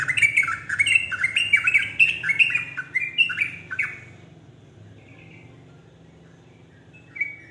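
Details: Yellow-vented bulbul song aimed at making other bulbuls join in: a fast, loud cascade of chattering descending notes for four seconds, then a near-quiet stretch with a faint hum and one last short note.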